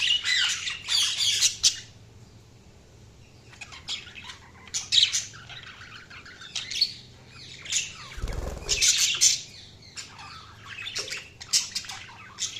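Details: Chirping budgerigars give bursts of fast, high warbled twitters and squeaky notes, separated by short quiet gaps, with one brief low thump near the middle.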